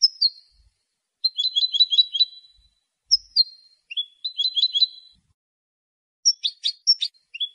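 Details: European goldfinch song, sung to defend territory and attract females: a high slurred note leading into rapid tinkling trills, repeated twice, then a jumble of sharp chirps and a falling note at the end.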